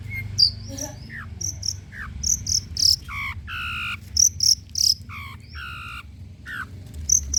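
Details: Long-tailed shrike song used to coax quiet birds into singing. Varied phrases mix sharp high ticks, downslurred whistles and harsh buzzy, banded notes in an irregular sequence, with a faint low hum underneath.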